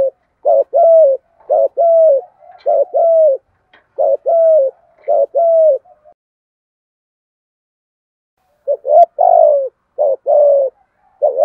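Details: Thổ 'thúc gù' cooing of spotted doves, male and female, meant to goad wild doves into answering: five quick low coo phrases in a row, a silent gap of several seconds, then three more phrases.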